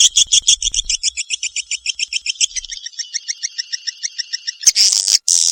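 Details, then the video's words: Kalimantan swiftlet giving rapid, regular chirps with a high and a lower tone, about three or four per second, thinning out midway, then cut by a few loud harsh hissing bursts at the end. "suara walet kalimantan"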